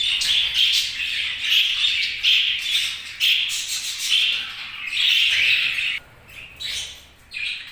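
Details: Budgie chirping in strong repeated phrases of squeaky, buzzy notes, then thinning into scattered short chirps with quieter gaps near the end.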